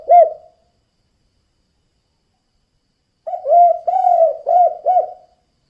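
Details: Spotted dove (tekukur) call in kuk-kuk style, used to draw other doves: a single short low coo, a silent gap of nearly three seconds, then four soft hollow coos in quick succession.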